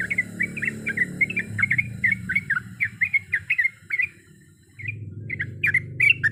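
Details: Sooty-headed bulbul female calling for a male, a steady string of bright chirping notes for four seconds, a brief pause, then more chirps with sharp clicks, over low rumbling background noise.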